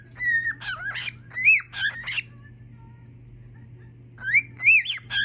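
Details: A male cockatiel sings on a Sunday while his room is cleaned, bursts of warbling, rising and falling whistles mixed with harsh squawky notes.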